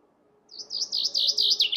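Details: Opening of a chaffinch song: a quick run of bright, slightly wavering notes repeated in even succession, loud and close.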